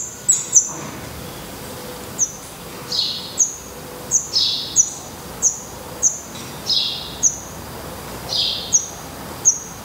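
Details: Black redstart nestlings in a Portuguese nest, eyes open and adult feathers growing, repeat sharp high downslurred notes about once a second, some followed by lower hissing bursts.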